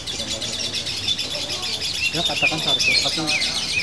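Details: Caged female fighter lovebird in a sustained locked song: continuous piercing high-pitched chatter, with brief upward-slurred squeaks late in the burst, and music playing underneath.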